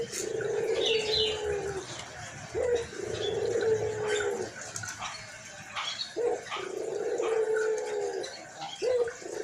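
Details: Chatty white collared dove with a hoarse voice repeats a pattern of a brief clipped note followed by an extended low coo, several times over, with faint chirps of other birds.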